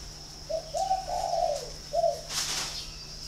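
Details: Spotted dove at a bird farm in Ba Vi, Hanoi, Vietnam: one full phrase of a brief opening note, a long wavering coo and a short ending coo, followed by a sharp noise burst.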